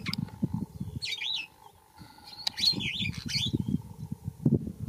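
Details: Yellow oxpecker, a bird that feeds on ticks and insects carried by buffalo and giraffes. Two bursts of harsh, wavering hissy calls come about two seconds apart, over a steady background hum and low rustling.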